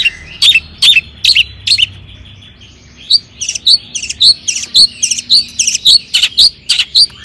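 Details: Long-tailed shrike performing a lure song to get other shrikes singing: clusters of sharp high chips, a short pause, then a fast regular series of bright whistled notes about two per second.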